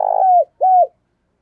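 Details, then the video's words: Spotted dove used as a decoy to call in wild doves, giving two loud, low hollow coos, the first longer and falling at its end, the second shorter, then silence. "Tiếng Chim Cu Mồi THÚC Và GÁY GỌI Bổi, Dùng Kích Bổi Rất Hiệu Quả"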